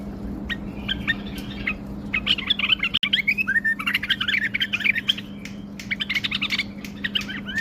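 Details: Singing bulbul showing its wings, delivering a dense, continuous jumble of chattering and whistled notes with quick warbles throughout, a faint low hum behind and one sharp click near the middle.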